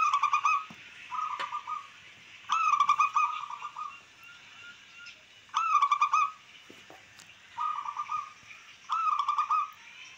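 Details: Local wild-type zebra dove song, used to provoke rivals and raise breeding drive in caged birds: short staccato, trilled cooing phrases at mid pitch, rich in overtones, repeated every one to two seconds, some phrases running close together, with faint clicks between.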